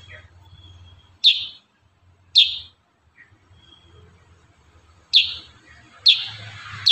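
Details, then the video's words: Kurincang in energetic 'tembakan rapat' song for bird tutoring: abrupt, piercing high chirps, first two spaced about a second apart, then a pause, then a tighter burst of three chirps with a buzzy trailing note, low background hum. "Masteran burung kurincang tembakan rapat"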